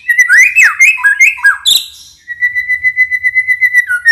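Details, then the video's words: White-rumped shama lure song for coaxing other birds to respond; looping whistled phrases around one pitch, a sharp burst, then a long even series of rapid pulsed notes, about four per second. "Suara pancingan murai"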